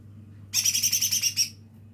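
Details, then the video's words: Juvenile lesser green leafbird practising its song, giving one sharp, grating chatter of around eight rapid pulses in about a second, over a faint steady hum. "cucak ijo mini belajar bunyi"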